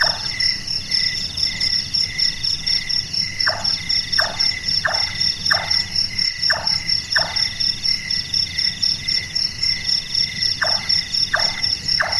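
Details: Large-tailed nightjar, locally burung tukang, active at night, its call likened to someone doing carpentry: short knocking notes falling in pitch, given in quick runs about every three-quarters of a second with pauses, over a steady shrill insect chorus.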